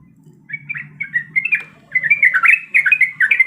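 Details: Female yellow-vented bulbul, in breeding condition, calling the male: short bursts of chirpy, gurgling notes, a brief phrase, a pause, then a louder, busier tumbling phrase, with a low hum underneath.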